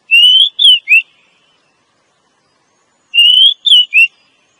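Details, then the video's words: Calling female Oriental magpie-robin, used to attract males for forest trapping: two identical three-note whistled phrases, a drawn-out note then two shorter slurred ones, repeated about three seconds apart. "Suara Burung Kacer Betina Ampuh pikat Penjantannya"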